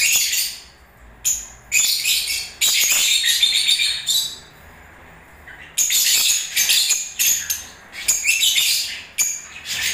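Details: Lovebirds singing during breeding season: long runs of shrill, buzzy chattering and squeaks, broken by a two-second quiet gap before rapid, uneven chatter resumes.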